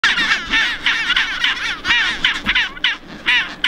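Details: A chinstrap penguin colony on Half Moon Island in the South Shetland Islands near Antarctica gives harsh, braying calls, with many birds overlapping in a steady, throaty chorus over a faint low rumble.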